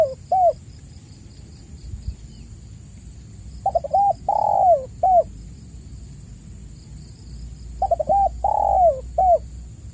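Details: Spotted dove calling vigorously on a lure recording for caged doves that have stopped calling: repeated phrases of quick stuttered coos, a long sagging coo and a short final coo, spaced about four seconds apart, over a persistent high whine.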